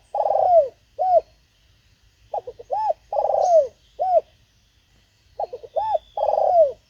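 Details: Luring wild birds, a decoy spotted dove repeats its phrase three times: stuttering notes, an arched hoot, then a long, rolling coo that drops in pitch, with pauses between phrases.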